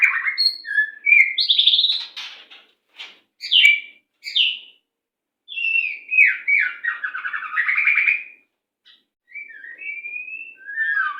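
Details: Varied white-rumped shama song for training captive birds: rich whistled phrases mixed with buzzy notes and rattles, a long rolling warble in the middle, and soft fluting whistles toward the end.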